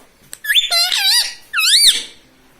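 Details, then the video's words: Indoor pet rose-ringed parakeet voices two clear, bright phrases, the first wavering through several bends, the second a single rising-then-falling arc, in a quiet room. "Talking Parrot || Mitthu Mitthu"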